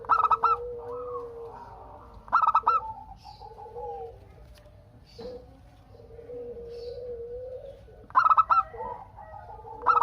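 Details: Local Indonesian zebra dove singing actively as a lure for other doves to reply. Three quick stuttering coo phrases, one after a long pause, over long, soft, low coos from other birds.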